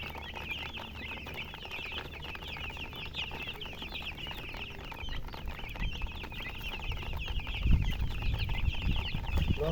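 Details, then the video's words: A group of baby chicks chirping steadily, soft high peeps blending into a constant chorus, with low thuds and bumping noises toward the end. "Baby "Chicks Chirping" Sound"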